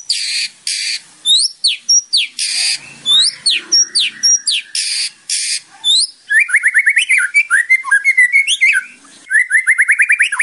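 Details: White-rumped shama song used for training other birds, opening with harsh buzzy bursts and sharp downslurred notes, then breaking into rapid rattling trills and fast chattering series of rising notes.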